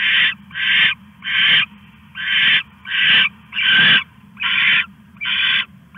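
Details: At 1:41 AM on August 21, 2015, an owl stashing a rat gives a steady series of eight harsh, noisy hisses, each under half a second, repeated about every three quarters of a second above faint low rumble.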